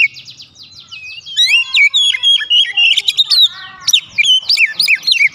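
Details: Lure song of an Oriental magpie-robin, used to provoke other magpie-robins into full singing: a soft run of rapid repeated notes, then loud varied whistles, trills and harsh buzzy chatter mixed with sweet upslurred phrases.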